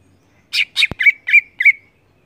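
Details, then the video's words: Cucak ijo, the greater green leafbird, in lively ngeplong song: five clear, fluty notes in quick succession, the first two brighter and buzzier, with a sharp click between them and a faint steady tone underneath. "Cucak ijo gacor Ngeplong"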